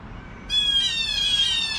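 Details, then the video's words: Blue jay alarm at 7 in the morning, one of a pair: a single drawn-out, harsh, nasal jeer lasting over a second, strong and steady with a slight waver, over faint low background noise. "Blue Jays Alarm at 7AM"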